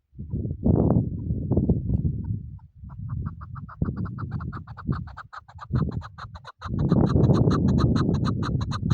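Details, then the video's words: Chukar partridge call used in hunting: quick, steady runs of harsh clucking chuk notes, several per second, partly buried under loud low-pitched rumbling and handling noise. "Shikari chakoor شکاری زرک"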